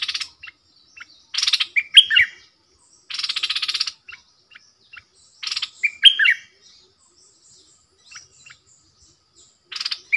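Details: Bulbul used as a decoy for wild birds, alternating harsh buzzy rattles of about half a second with short clear downslurred whistles, the pattern repeating several times amid quiet pauses.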